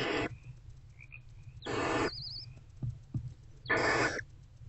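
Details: Barn owl mother and older owlet sharing a nest box before dawn on 20 February 2024; three loud, raspy hissing screeches about two seconds apart, a brief wavering whistle, and soft knocks over a low hum.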